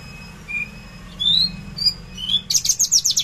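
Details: Caged Javan bush lark, 13 December 2022 at 10 a.m., in trotol style: a few clear upslurred whistles, then a sudden burst of fast, buzzy, stuttering high notes.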